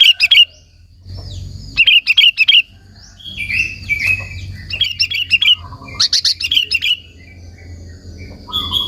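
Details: Sooty-headed bulbul chattering song meant to provoke other bulbuls and draw them in: clusters of harsh, bubbly chirps about three per second, grouped into short phrases with gaps, over a faint low hum.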